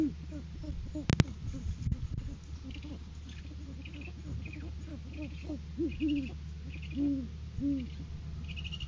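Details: Great horned owl pair during courtship season, live camera, January 7, 2023, the male delivering food to the female: steady low hoots through the stretch, growing stronger near the end, with a sharp knock early on.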